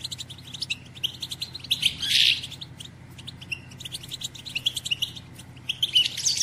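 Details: Batbata of a female European goldfinch, played to excite males into singing and mating: continuous rapid liquid twittering with two loud buzzy outbursts, notes packed several per second, low hum underneath.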